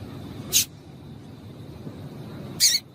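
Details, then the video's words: Female double-collared seedeater giving calls meant to stir a male into singing: two brief, sharp high chips spaced about two seconds apart against a faint steady hiss. "Piado de Fêmea de Coleiro para Esquentar Coleiro"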